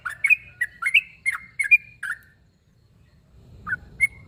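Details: Sooty-headed bulbul calling a rival: a brief burst of lively chirped notes lasting about two seconds, a silent gap, then two isolated chirps.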